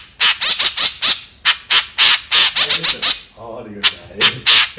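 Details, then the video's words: White-breasted woodswallow, known locally as kekep, giving harsh, buzzy squawking notes in rapid, irregular series, briefly pausing before shorter bursts resume. "Suara Burung Kekep Gacor | Kicauan Burung Kekep Gacor"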